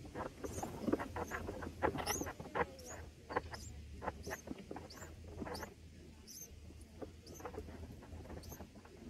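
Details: Baby red bulbuls in their nest during feeding on the first day, giving a steady series of short, high, rising squeaks, roughly one a second, with rustles and a low hum beneath.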